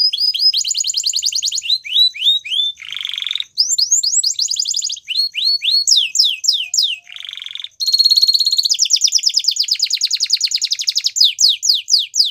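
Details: Belgian canary in full song, with abrupt breaks: rolling downslurred notes, two short low buzzy bursts, then a long fast trill of evenly repeated high notes before more sweeping whistles.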